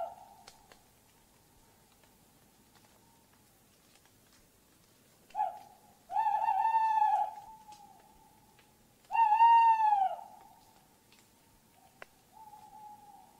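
Tawny owl giving two drawn-out, slightly arched hoots about a second long, three seconds apart, after a short clipped note, over a faint steady tone.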